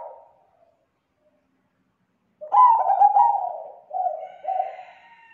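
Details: Lure call of a zebra dove, full and clear in tone: a soft fading coo, then two seconds of silence before one strong stuttering phrase that runs into three gentle descending coos.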